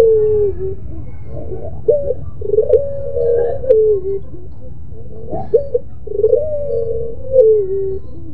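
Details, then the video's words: Pelung-variety Barbary dove cooing in a moaning, crying style: a series of soft stuttering coo phrases, each drawn into a sustained note, repeated several times over low rumbling background noise. "SUARA MERINTIH BURUNG PUTER PELUNG !!! TANGISAN SI PELUNG ll SUARA BURUNG PUTER MERDU"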